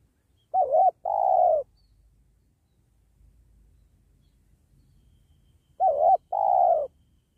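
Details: Spotted dove, or tekukur, recorded while wild doves were being trapped beside a sacred tree. Two phrases, each a short wavering coo and then a longer, smooth, slightly falling coo, about five seconds apart; faint low rumble underneath.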